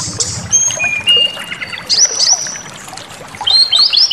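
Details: Brief burst of white-rumped shama song used to provoke rage: a few pure whistles, a long steady note, then quick rising slurred notes.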